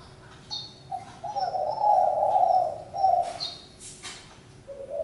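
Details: A drawn-out spotted dove coo swelling and fading, followed by a shorter one and a soft final note; high thin chirps of small birds overlap.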